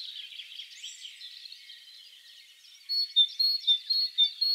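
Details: Wild great tit (Parus major) in spring. A busy background of mixed chirping from other birds fills the first part. Then a distinct, ringing two-note phrase repeats about five times.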